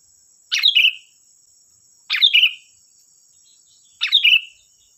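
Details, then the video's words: Sooty-headed bulbul in lively song, used as a lure to make untrained bulbuls answer: three short bubbly phrases falling from a sharp onset, spaced about every two seconds, over a steady thin high whine. "Suara burung Kutilang Gacor || Suara pancingan Kutilang bahan"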